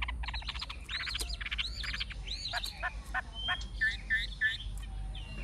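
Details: Old wild Chinese hwamei with a true forest voice and fig-leaf tail gives quick arched and stuttering notes. These turn into short repeated whistles, set against a noticeable low rumble.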